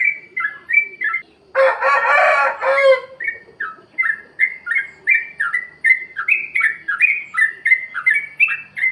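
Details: Yellow-vented bulbul in free-style 'plik plok' song, used as a lure track to get lazy caged birds singing: quick bubbly two-part notes bouncing between low and higher pitch, with a loud rooster crow breaking in early on.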